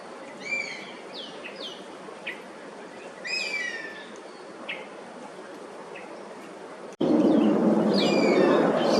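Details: Oriental honey buzzard, a wintering migrant in Singapore, perched and calling against intruding Oriental pied hornbills. Several high descending whistles and short sharp notes in the first seven seconds, then a sudden loud rush of noise that partly masks later calls.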